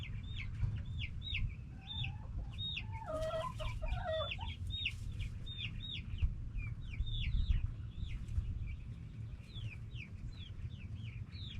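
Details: Backyard hens and roosters calling steadily; continual short high clucks throughout, with a cluster of wavering, broken notes around three to four seconds, over a low steady hum.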